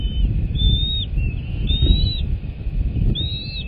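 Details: American bald eagles at a nest, live cam, 21 February 2024 around midday: thin high whistled notes, each drawn out and slightly arched, repeated about every second, over heavy low rumbling wind noise.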